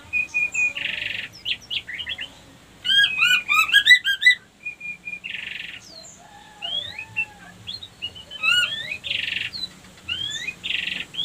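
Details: White-rumped shama female lure song used to trigger breeding readiness in other females: short whistled phrases, a burst of rapid stacked trills, and harsh buzzy notes repeated between pauses.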